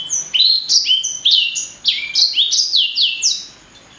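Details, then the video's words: Blacksang, offspring of blackthroat and sanger, pouring out a loud continuous chain of high whistled notes, many dropping steeply in pitch, stopping cleanly just before the end. "Kicau Merdu Blacksang Gacor"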